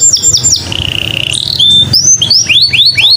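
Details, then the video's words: Short stretch of canary lure song for making other birds sing: a few quick downslurs, a held steady whistle, then crisp rising notes repeated about four times a second. "PANCINGAN BURUNG KENARI"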